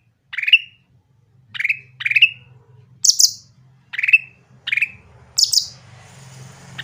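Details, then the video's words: Grey-bellied bulbul in lively song, used as a lure for birds that are slow to sing: evenly spaced downslurred whistled notes, broken twice by bursts of very high chirps, over a low steady hum and some hiss near the end. "cucak ranting gacor suara jernih untuk pancingan yang susah bunyi"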